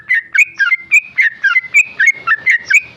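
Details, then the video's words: Tame male sooty-headed bulbul in ropel style: a continuous, brisk run of about a dozen bright, ringing whistled notes, rising and falling sharply. "Trucuk jinak ropel"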